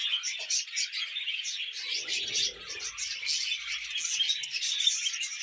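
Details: Pet budgies singing while eating vegetables, a dense continuous warble of high chattering, buzzy and squeaky notes, with a brief low rustle in the middle.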